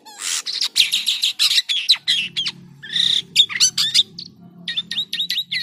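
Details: Jalak kapas starling in vigorous, odd-sounding song: harsh grating bursts and clicks, then sharp whistled strokes and short squeaky notes, with a low rumbling hum beneath.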